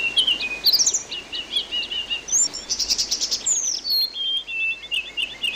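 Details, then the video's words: Songbird training recording of an orange-headed thrush over water sounds: rich varied song of rising and falling whistles, a dense buzzy burst midway, then a run of rapidly repeated notes. "masteran anis binbin terapi air"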